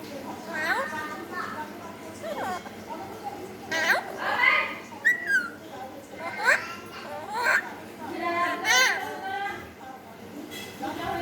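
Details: Alexandrine parakeet imitating a cat: a series of short, arched, harmonic meow-like calls, rising then falling, given every one to two seconds, with some higher whistled inflections among them.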